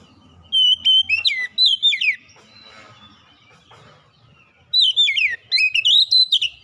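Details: Oriental magpie-robin singing a lure song to stimulate lazy birds: quick whistled phrases with sharp upslurs and downslurs, a short spell of soft mixed background chatter, then another lively burst of clear whistles.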